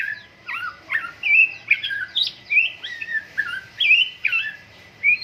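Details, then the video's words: White-rumped shama in full song at morning dew airing, loud clear whistled notes slurring up and down, delivered in quick separate bursts roughly twice a second over a faint steady hum. "MURAI BATU GACOR, PROSES BURUNG MURAI PENGEMBUNAN PAGI"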